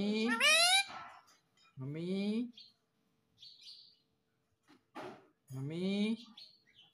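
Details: Pet talking Indian ringneck parakeet from India making three drawn-out, nasal, rising voice-like calls with a few soft clicks and murmurs between them.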